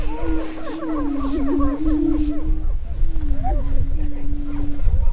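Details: Spring mating dance of Greater prairie-chickens on a lek near Crookston, Minnesota, filmed 27 April 2013. A dense burst of quick looping cackles rides over a continuous low booming drone, which then carries on more sparsely with occasional whoops.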